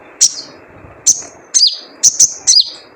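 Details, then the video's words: Wild spiderhunter giving its typical 'jrejet cuit' call, used as a lure to get birds singing: sharp, high, downslurred chirps, some doubled, spaced irregularly over three seconds against a faint low hum. "Jrejet Cuit Suara Panggilan Khas Sogon Liar untuk pancingan sogon agar gacor"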